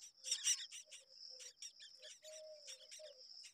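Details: Myna chicks in the nest beg as their mother feeds them, with harsh, raspy bursts several times a second over a steady high insect drone and a few low tonal notes.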